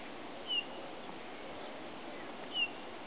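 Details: A male Eurasian bullfinch at Broadlands nature reserve, Hereford, gives two soft, short, falling piping whistles about two seconds apart over a steady background hiss.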